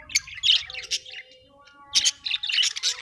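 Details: Pet Australian budgies give raspy chattering bursts, a pause of about a second, then another run of scratchy squawks and warbles.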